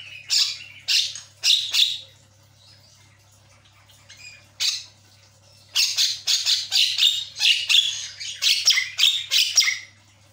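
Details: Javan myna lure song meant to get a stalled bird chattering: three loud harsh squawks, a pause with soft notes, one burst, then a long fast run of grating, chattering notes, over a constant low hum.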